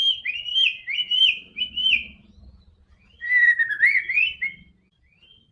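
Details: White-rumped shama singing, meant to stir a quiet bird into song: clear looping whistles repeated three times, then a lower, wavering warbled phrase rising at the end, with faint low background hum.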